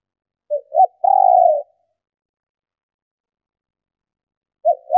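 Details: Female spotted dove cooing to prompt males: two short low notes and a long falling coo, then after a pause two more short notes begin again.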